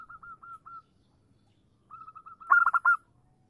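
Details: Female zebra dove luring a male: soft evenly spaced short coos, a pause, then quiet notes building into a loud quick burst of clipped cooing.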